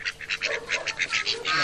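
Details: A pet duck in Khlong Sam Wa district, Bangkok, one of two raised from young and described as a nonstop complainer, chatters in fast, steady, insistent nasal quacks, about seven a second; it also acts territorially.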